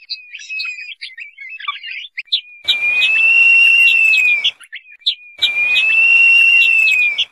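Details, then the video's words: Crested partridge, also called roul-roul, calling: drawn-out steady whistles held about two seconds each, repeated with short breaks, mixed with quick chirpy notes and a soft hiss underneath. "Crested partridge Calling Sound"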